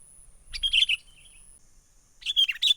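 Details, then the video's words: Sooty-headed bulbul lure call for trapping birds, said to be from the wild: two bursts of bright chirping notes around a high steady tone, separated by a pause, with a faint constant high whine throughout. "SUARA pikat kutilang gacor asli alam liar"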